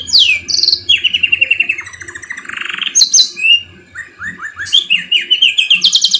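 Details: Canary song used as a lure to prompt other canaries to sing, the bird's song filled with magpie-robin phrases: high descending whistles, rapid rattling trills, a buzzy roll, then quick repeated slurred notes in fast, varied sequences.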